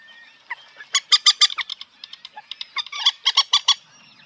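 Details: Common moorhen giving a rapid series of harsh, clipped, clucking notes in two bursts, the loudest near the middle and end, with quieter scattered notes between.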